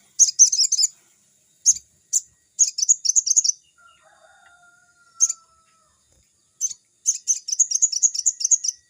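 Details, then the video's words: Crimson sunbird song for training young birds; bursts of fast, high, sharp twittering, a short pause with a faint low whistle from another bird, then a long rapid chattering run. "burung sogon GACOR‼️suaranya seperti di hutan‼️pancingan sogon bakalan"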